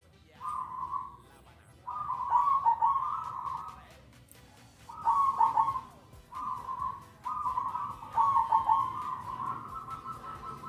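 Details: Zebra dove cooing: phrases of trilled, rolling coos with a steady, even pitch, several runs over ten seconds separated by brief pauses, over a noisy background hum with faint clicks.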